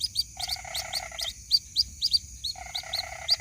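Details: White-breasted waterhen chick calling for its mother: dense, quick, high upslurred chirps roughly four a second, overlapping two long buzzy rattles, with a persistent high whine and soft low rumble.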